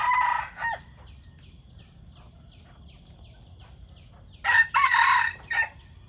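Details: Morning rooster crowing: a loud, scratchy crow ends at the opening, faint chirps fill a quiet middle, then another long, harsh, broken crow sounds.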